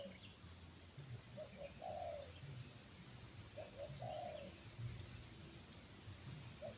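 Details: Moderately distant coo phrases of a trained spotted dove reacting to a wild bird lured down again, roughly every two seconds: short paired notes then a longer coo, set against steady low rumble and hiss.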